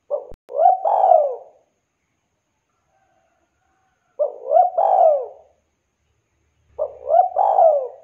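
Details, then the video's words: Vocal spotted dove calling to other doves: three clear cooing phrases about every three seconds, each a short double coo followed by a longer, falling, throaty coo, with silence between. "Suara burung tekukur Gacor memanggil teman"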